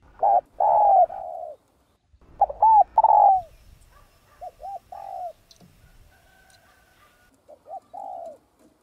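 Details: Kept spotted dove cooing as a lure for other doves; loud double and long coos early, followed by quieter coo phrases, a faint distant-sounding second voice and a background hum.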